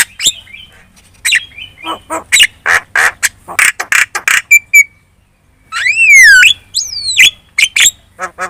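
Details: Lure song of a Javan myna, played so other birds reply: rapid harsh clicks and rasping squawks, a few short whistles, then a long loud rising whistle followed by sharp chattering notes.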